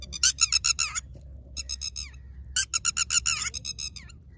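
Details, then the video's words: Red-wattled lapwing, a wild bird nesting on the ground with eggs: loud, piercing notes repeated rapidly in three bursts of strident calling separated by short pauses, each note sharp and slightly falling, with a faint low rumble beneath. "tateri birds sound | Red wattled lapwing"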